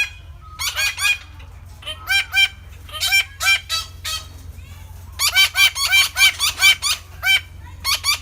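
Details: Red-breasted parakeet calls: dense runs of harsh, rasping squawks in quick bursts, sometimes overlapping as if several birds call together, with a faint low hum beneath.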